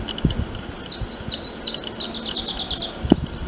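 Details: Prinia (वटवट्या) calling: a run of quick, rising-then-dropping whistled notes, then a faster, buzzy trill of short notes, with soft low rumbling and a thump near the end.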